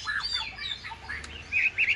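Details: Caged Chinese hwamei offered for sale, giving a short burst of varied whistled phrases, with slurred notes rising and falling and a louder, brighter pair of notes at the end.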